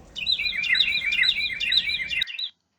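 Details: A Carolina Wren in Mississippi sings its loud, rolling tea-kettle song, a rich whistled phrase repeated about five times in quick succession over faint background hiss.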